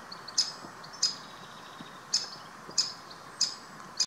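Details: Great spotted woodpecker chick at the Munich Botanical Garden giving six short, sharp, high calls, spaced roughly half a second to a second apart, over a steady background hiss.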